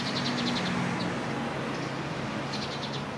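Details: Japanese Pied Wagtails, a flock gathering at a winter communal roost in evergreen oak trees at the edge of a parking area in Japan; rapid high chirping notes in short bursts at start and end, over steady low traffic hum.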